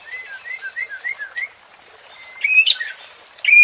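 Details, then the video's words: Shama song from Indonesia meant to provoke competition birds: a string of soft, evenly paced whistled slurs, a thin high note, then loud sharp emphatic whistles. "MURAI BATU JADI TERPANCING EMOSI DENGAN SUARA PANCINGAN INI | shama bird | murai batu"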